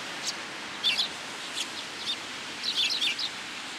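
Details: Sparrows coming to be fed on cherry branches at a shrine on a rainy day, 26 March 2023; short high chirps in loose clusters, a few near the start, a busier burst of several chirps toward the end, over steady rain hiss.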